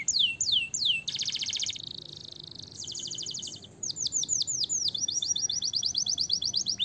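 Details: Canary singing to encourage other birds to sing: three falling whistles give way to a loud buzzy rapid trill, a softer rattle, another trill block, then a quick run of descending whistle notes and a steady chattering trill.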